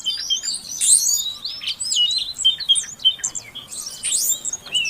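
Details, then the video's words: Female Oriental magpie-robin calling to stimulate a silent male into song; a tangle of high chirps, whistled sweeps and harsh bursts over steady background hiss. "Suara Kacer Betina Untuk Pancingan Kacer Jantan Yang Macet Bunyi Agar Gacor"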